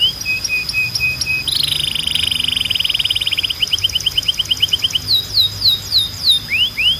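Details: Belgian canary singing: level whistled notes, then a long rolling buzzy trill, a run of quick clipped notes, and a few separate downslurred sweeps, over a thin steady high tone.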